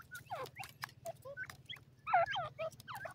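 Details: Francolin chicks, called Sindhi tetar, from Pakistan: several thin, downward-slurred peeping notes in loose bursts, some overlapping, with sharp clicks and a steady low electrical hum underneath.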